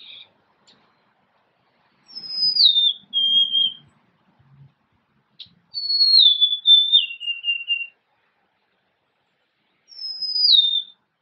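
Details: Golden-crowned sparrow singing clear, plaintive whistled phrases of two or three notes that step downward, repeated every few seconds in a quiet setting.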